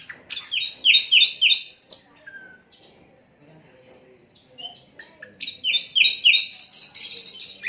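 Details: Asian brown flycatcher song, unedited, used to tutor other songbirds: a quick string of descending chirps, a near-silent pause, then another fast run of down-slurred chirps climbing higher at the end.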